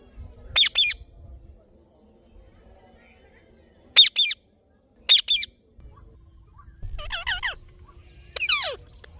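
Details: An Indian ringneck parrot utters paired rasping squawks, then a run of quicker, more tonal, bending chirps with stacked overtones near the end.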